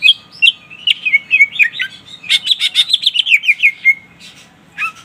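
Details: Greater green leafbird singing gacor to call a rival, used as a lure; a long rapid stream of clear whistled and warbled notes, tightly repeated and sliding, pausing near the end before a final short phrase.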